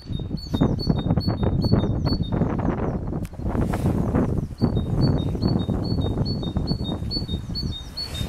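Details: Great tit singing a bright two-note phrase, high then slightly lower, repeated rapidly in two bursts with a pause between, over loud low rumbling and rustling noise.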